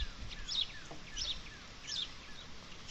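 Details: At a camera bird feeder in cold, rainy weather, house sparrows chirp in the background in small bursts of short bright notes about every second or so, over a steady hiss of rain; they follow and harass bluebirds.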